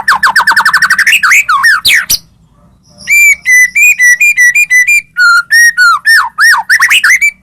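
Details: White-rumped shama song played to provoke other shamas into singing: fast descending whistled trills, a pause, then rich repeated whistled notes with upward and downward slurs.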